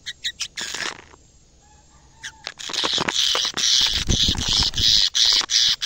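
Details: Canary kept in a cage and singing actively as it reacts to a camera for the first time. A few quick chirps lead to a pause, then a sustained, loud, rolling high trill broken into rapid bursts.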